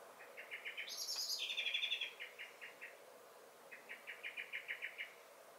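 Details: Common blackbird in a garden, 23 May 2021, singing and giving alarm calls: a rapid series of sharp, repeated chinking alarm notes, about four a second, broken by a brief high, squeaky twitter of song.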